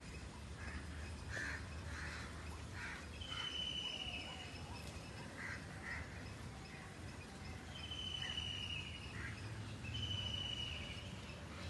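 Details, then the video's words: Purple swamphen giving harsh, nasal honking calls in short bursts, with thin level whistles from another bird and a low background rumble. "Purple SWAMPHEN Birds Sounds"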